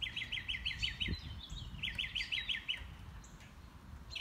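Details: Northern mockingbird singing on a morning walk, running through its repertoire: rapid series of buzzy, looping notes repeated about six times, a pause, then another quick repeated phrase, with rustling and footsteps below.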